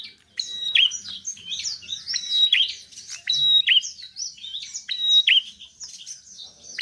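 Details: Energetic song of a bar-winged prinia, played to coax reluctant birds into singing: a dense run of quick high chirps and buzzy twitters, punctuated by clear level whistled notes every second or so.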